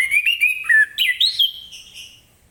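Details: Orange-headed thrush singing in the morning in the ngeplong style, meant to prompt other birds to sing along: a quick run of clear whistled notes, rising and falling with slurred inflections, fading out over the last second.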